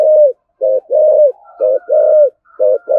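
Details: Spotted dove of the 'thổ sấm' voice type in 'thúc gù' rapid cooing: quick bursts of short coos alternate with drawn-out mellow notes, with a faint higher whistle-like tone running between phrases.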